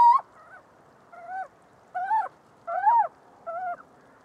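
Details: Little owl calling: a series of five short, nasal, mewing notes with upward-bending then falling inflections, spaced about half a second to a second apart, over a quiet, still background.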